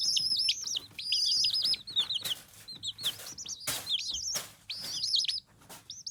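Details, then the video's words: Chicken chicks: many overlapping high, thin cheeping peeps and rising-falling chirps, with bursts of broadband rustling or scraping noise between them. "The sound of chicks"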